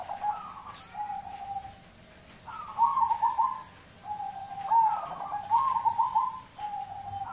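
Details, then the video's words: A local zebra dove's song for coaxing other birds to sing: gentle cooing with rolled, vibrating notes, phrases dropping in pitch, a pause, then a louder run of trilled coos repeated several times. "Audio terapi perkutut lokal untuk pancingan"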